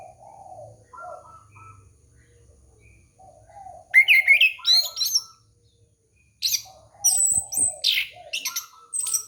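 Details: Orange-headed thrush song for luring a young bird: soft low whistled notes build into loud, fast, varied phrases of chirps, warbles and piercing high notes, with a short silence midway.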